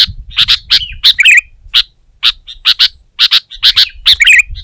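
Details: Competing sooty-headed bulbul, singing to dominate a rival: clusters of two or three loud clear chirps separated by brief pauses, ending in a bubbly warble; faint low rumble at the start.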